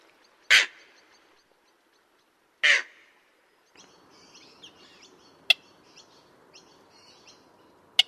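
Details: Common moorhen: two sharp, harsh, abrupt calls two seconds apart, followed by quieter background chatter of small birds and a couple of clicks.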